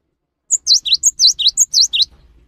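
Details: Cinereous tit song used as a lure to get other tits singing: a rapid run of about four paired phrases, each a thin high note followed by a sharp swooping whistle, lasting about one and a half seconds against a quiet background.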